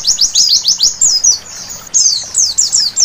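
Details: Singing white-eye at night, its high, thin notes coming in uneven bursts: a few quick sweeps, then a twittering tangle, a brief lull, and another chattering burst.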